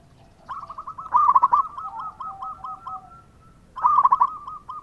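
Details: Local zebra dove singing actively, used as a lure to make other doves answer: a rapid staccato series of cooing notes slowing into drawn-out lower coos, then a second quick burst starting the next phrase.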